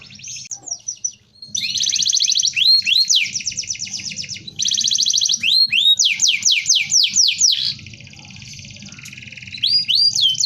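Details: Domestic canary delivering a dense rolling song meant for tutoring. Fast, loud high-pitched trills alternate with series of sharply rising whistled notes. Low background hum sits underneath, and a quieter buzzy stretch comes late on.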